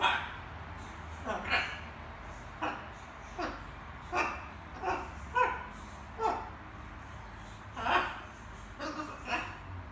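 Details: Small macaw's evening babbling as it practises different words, a rapid string of short raspy syllables, about a dozen chattering bursts in ten seconds, like a child's chatter, recorded in a small quiet room.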